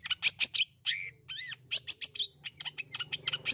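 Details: Long-tailed shrike used as a lure for a shy or lazy shrike, pouring out quick scratchy chirps, a pair of arched, slurred notes, and rapid twittering phrases over a low droning background.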